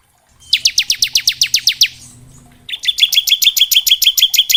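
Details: Bar-winged prinia singing in the gacor ngebren style, recorded to train young prinias: a rapid series of high descending chirps, a short break, then a continuous fast metallic trill of repeated notes.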